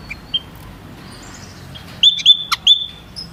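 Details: White-headed munia: a couple of faint peeps, then a loud cluster of clear, high, slightly rising piping notes near the end, with one sharp click.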